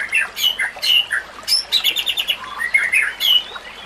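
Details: White-rumped shama song intended for training other shamas, with running water sounds: a busy, chattering phrase mixing harsh high notes, short whistles and a rapid run of clicks, fairly dense over a constant hiss.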